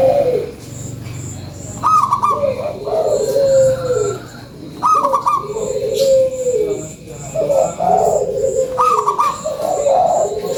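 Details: Gurgling cooing of a local zebra dove used as a lure, each phrase opening with a high trill and sliding into lower rolling coos, four phrases at two-second gaps, with a low hum underneath.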